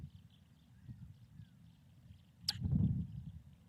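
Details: Newly arrived female osprey at the Charlo osprey nest on April 23, 2024, around 3 pm MDT, giving a single sharp, explosive sneeze followed by a burst of low rumbling noise, over a quiet low hum.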